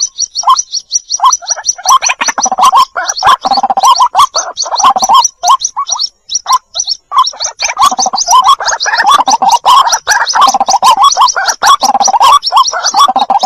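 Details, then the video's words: Lure sound of white-breasted waterhen with chicks, heard as an unbroken, loud, gargling chorus of throaty repeated notes beneath a constant layer of rapid high chirps, with only brief pauses. "suara pikat burung ruak2 dan suara anakkan"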